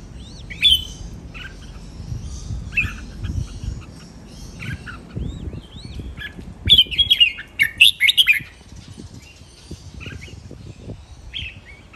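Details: Training song of a Red-whiskered bulbul, described as clear and sweet-phrased in len rik, nap dok, mae bot and lak wai styles. Scattered whistled notes, then a loud, rich warbled run of five or six notes midway, with low rumbling background.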